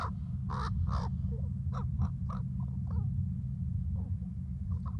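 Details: Crow, or perhaps a raven, maybe a young bird, in conversation: loud grating caws at the start, then softer clipped croaks spaced unevenly, with a heavy low droning hum underneath throughout.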